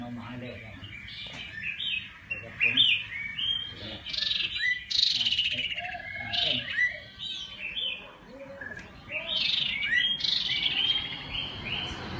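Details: Iora song, played to stir wild birds into singing quickly: lively bursts of bright, high chirps and quick whistled notes in varied, rapid phrases. There are short pauses between bursts and a faint low rumble underneath.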